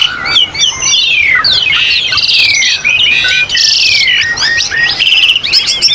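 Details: Asian pied starling song for training captive birds, set in a mountain nature ambience: a dense, continuous jumble of whistled slurs, rising and falling notes and buzzy, harsh chatter, with overlapping high calls throughout.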